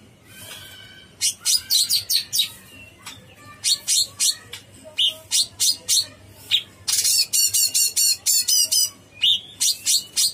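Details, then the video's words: Cucak cungkok bulbul singing energetically: a fast, busy string of sharp, bright notes and chips, roughly four per second, with brief whistled tones mixed in and a faint steady hum underneath. "Suara burung cucak CUNGKOK gacor"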